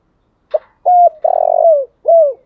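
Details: Morning call of a decoy spotted dove: a brief clipped note, then a flat hooted coo, a long rolling burr that slides down, and a final dropping coo, all low and mellow.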